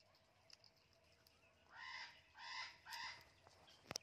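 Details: Pet talking blue and gold macaw playing in a beautiful garden gives three harsh, raspy squawks in quick succession, each about half a second long, with faint clicks and light background noise.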